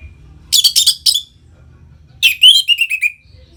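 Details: Captive orange-headed thrush in ngeplong song, used to stimulate other birds: four quick harsh high notes, a pause, then a rich phrase of descending whistled notes stepping lower, in a quiet indoor setting.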